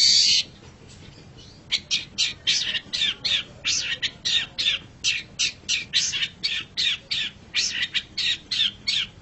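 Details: Long-tailed shrike in a masteran recording: one opening whistle, then a long run of short, dry, scratchy chattering notes, about three per second, steady throughout.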